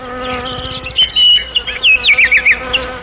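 A common nightingale sings a rapid buzzy rattle of repeated high notes, then sharp, varied whistled phrases, over a steady low hum.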